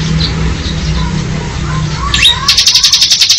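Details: Low rumbling background noise gives way to a rising note and then a fast, pulsed, high buzzy trill from a bar-winged prinia singing in ngebren style.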